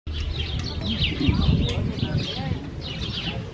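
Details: A male house sparrow at Emmadorp, Zeeland, the Netherlands, on 10 May 2024, gives quick, bright chirps about four a second, over a low rumble and faint voices.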